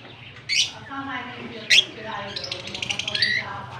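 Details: Fischer's lovebird with a blue personata mate, kissing, Larkana, Sindh, October 20, 2023: two sharp shrill squeaks about a second apart, then a run of fast buzzy chattering notes, with a faint background hum.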